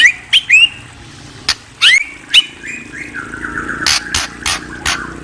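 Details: White-rumped shama giving bright, upward-sweeping whistles in short separate phrases, followed by a string of sharp percussive clicks, with a faint low hum in the background.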